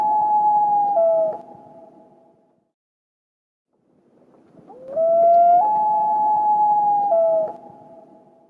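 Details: Common loon in Minnesota giving the wail, two long, mournful calls that slide up, hold, then step between pitches with a pause between, used to regain contact with a mate or other loons on the lake, by night or day.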